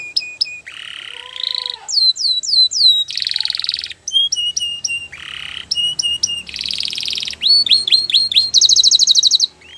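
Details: Belgian canary singing a training song for young canaries: varied phrases of repeated upswept whistles, buzzy rolls and quick descending slurs, each phrase lasting about a second, with a low whistled note near the start.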